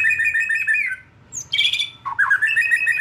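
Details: White-rumped shama, a juvenile taken from the forest and shedding its spotted plumage, in a lure recording meant to set birds singing: dense buzzy trilled phrases, a high whistled note between them, a short gap, then the rasping trill resumes.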